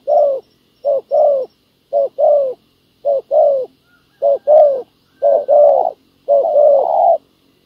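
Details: A ground decoy lures a wild field dove during spotted dove trapping. Paired mellow coos repeat steadily, a short note leading into a longer falling one. The final phrases run together into longer, wavering coos.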